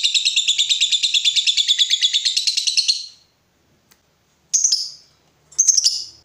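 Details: Fighter lovebird giving a three-second ngekek trill of rapid, shrill pulses that fades out, followed by silence and two brief sharp chirp bursts; a lure recording meant to get other lovebirds answering.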